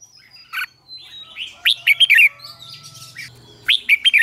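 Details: Red-whiskered bulbul morning song for training in the chè style; sparse loud slurred whistles and short warbled phrases with gaps, over a faint steady tone and low buzzing hum in the background.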